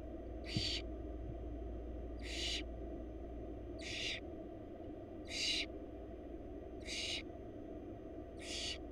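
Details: Begging wild barn owl chicks in a Florida nest box, fed by their mother: six evenly repeated hissing screeches roughly every one and a half seconds, broadband and breathy, over low continuous hum.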